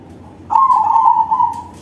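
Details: Loud song of a crossbred zebra dove, known locally as perkutut crossing: one sustained, burry, trilling coo lasting over a second, steady in pitch, over a quiet background.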